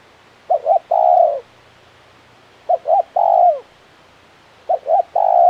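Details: Spotted dove, a tekukur kept for pikat, calling a low hooted double note followed by a longer coo, the phrase repeated three times about two seconds apart.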